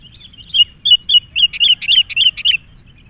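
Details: Wild sooty-headed bulbul worked up by a lure bird: soft whistles at first, then a brisk series of about nine loud, bubbly, down-slurred chirps roughly four per second, with faint low background noise.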